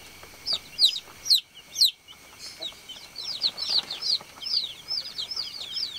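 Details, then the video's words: Baby chicks on a farm give sharp, high, falling peeps spaced irregularly, mixed with a few brief bursts of wing flapping early on, over a steady background hiss. "BABY CHICK CHIRPING SOUND"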